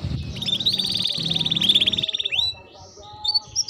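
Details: Canary song used to stimulate canaries into singing: a long rapid buzzy trill at steady pitch over a low hum, followed by a few faint rising chirps.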